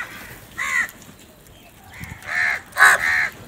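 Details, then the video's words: Crow barking while eating in the morning: one caw, a pause, then a quick series of three raspy caws close together, over quiet outdoor background. "Crow eat and crow barking | crow foods time In Morning"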